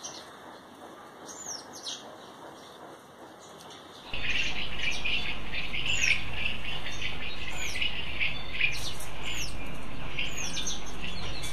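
Bulbuls give a busy stream of bright chirps and quick rising whistles, several notes a second, over a heavy low rumble of wind or traffic.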